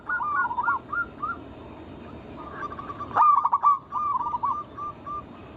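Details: Zebra dove, local wild bird, singing as a lure to provoke other doves: short bursts of fast rolling coos separated by quieter pauses, with a loud run of clipped repeated notes in the second half.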